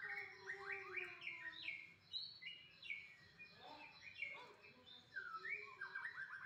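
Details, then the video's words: Dense, varied white-rumped shama song. Quick upslurred whistles, chattering runs and sweeping notes follow one another almost without pause, with a steady hiss underneath. "kicau ku"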